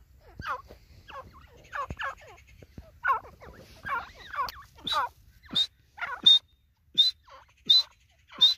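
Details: A white partridge (white teetar) gives harsh, scratchy calls about every second. They start low and rough and turn into higher, sharper bursts toward the end.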